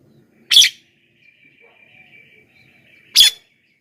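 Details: Javan myna calls played to lure wild mynas: two harsh, scratchy bursts nearly three seconds apart, a faint steady whine between them.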